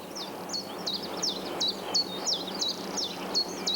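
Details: A Common Chiffchaff in Britain, an early spring arrival from Mediterranean winter quarters and almost identical to the willow warbler except by song, sings a steady string of high notes, about three a second, alternating up and down, over soft hiss.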